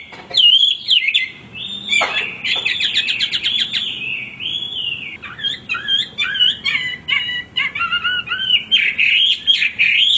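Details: Male hwamei in nonstop song, a long varied stream of clear whistles, sweeping slurred notes and fast chattering trills, phrases changing constantly with brief pauses, loud and close.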